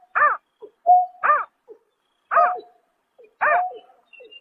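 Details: Greater painted-snipe calling at night in March 2024: a steady low hum-like tone alternates with short, arched, harmonic hooting notes, four calls spaced about a second apart, against a silent background.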